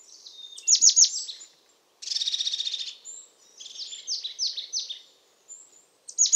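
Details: Song of a European crested tit, mixing steep downward-slurred high notes with a dry, buzzy, purring trill that lasts almost a second. A later series of four falling notes is repeated evenly, ending with another sharp burst.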